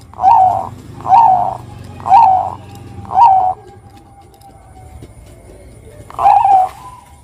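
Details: Bangkok-type zebra dove singing as a prompt to get other doves to sing; five low, mellow cooing phrases, each a short warbled rise and fall, delivered about once a second with a pause before the last.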